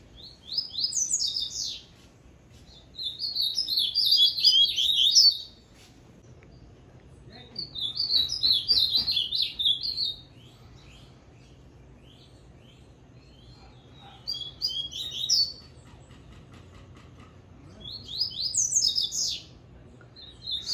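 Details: Papa-capim seedeater, mutuca song style. It gives repeated bursts of rapid, high, twittering whistled phrases, each lasting about two seconds, separated by pauses of several seconds. A faint hum and distant voices sit between the phrases.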